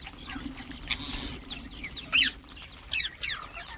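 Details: Ring-necked parakeets giving quick chirps: one sharp bright note, then a couple of short downward-slurred calls close together, with a low hum underneath throughout.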